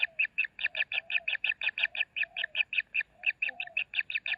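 Kingfisher chicks give a fast, steady train of rasping, buzzy notes, about five or six a second, with a faint lower tonal murmur beneath.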